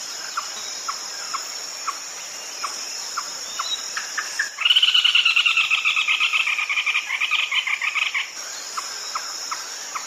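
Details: Red-legged crake calling at night: evenly spaced single clipped notes, then a sudden loud rapid rattle of nasal notes lasting about four seconds, then single notes again, under a continuous high insect drone.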